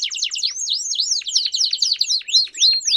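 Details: Belgian canary in song, delivering quick repeated high whistled notes, each a sharp rising-and-falling slur, about three or four per second, in a lively rolling sequence.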